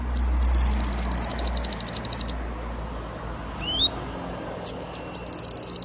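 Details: Yellow-eared spiderhunter in full song gives a two-second run of rapid high trilled notes and a quick upward whistle. A few sharp ticks then open another trill, with low rumbling background noise.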